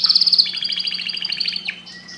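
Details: Canary singing a fast, rolling trill of rapid high pulses that runs for about a second and a half, then drops into a short, lower whistled note.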